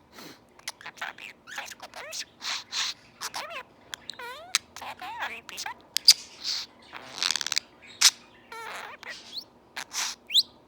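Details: Budgerigar, a male pet, chatters rapidly, mixing squeaky speech-like phrases such as "Do you got boogers?" with mimicked sniffles, coughs and hissing nasal-spray noises.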